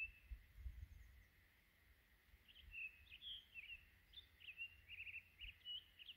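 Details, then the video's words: In winter, a Townsend's solitaire sings from the top of a dead tree a quick, rambling warble of bright, high notes without pause, over a low rumble of wind, defending its juniper-berry territory, with bluebirds nearby. "Townsend's solitaire singing"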